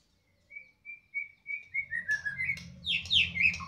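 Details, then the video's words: Loud White-rumped shama, a captive bird from Medan, singing: a run of clear rising whistled notes, then faster buzzy and sweeping phrases climbing higher, with low engine-like rumble beneath. "mb medan gacoran volume kencang"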